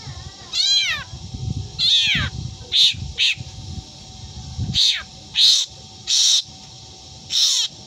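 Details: Black drongo imitating a cat: two arching, harmonic meow-like wails open, followed by a steady series of short harsh screeches about every second.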